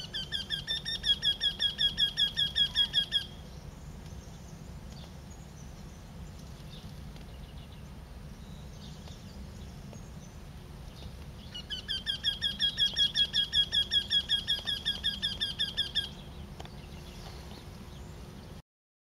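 A Eurasian Wryneck gives two bursts of rapid, nasal, evenly repeated notes over a low background rumble.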